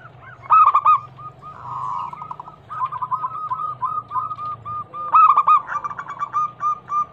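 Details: Zebra dove (perkutut) lure song, a local bird said to be a female calling the male. Two loud clipped coo phrases frame a long stretch of fast, rolling, evenly spaced coos, with faint low rumble behind.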